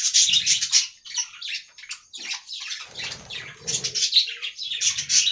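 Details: Aviary colony of budgies, giving a rapid, uneven run of high, buzzy chirps and warbles, with soft low thumps beneath in places.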